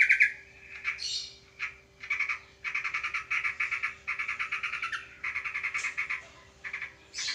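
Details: Sooty-headed bulbul battling a sparrow: a sharp high opening note, then repeated bursts of coarse, buzzy chattering, some sliding upward, growing into long rattling runs broken by brief pauses, over a persistent low hum.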